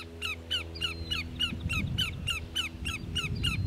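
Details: Greater yellowlegs at Grand Forks, North Dakota, 13 July 2009, giving a long, steady series of clear, ringing, down-slurred whistles, about three per second, over a low background rumble.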